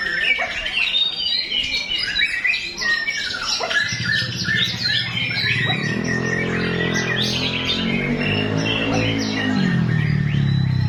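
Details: White-rumped shama singing its full song, with rich, varied whistled and chattering phrases. A steady low droning hum rises beneath the song from about four seconds on.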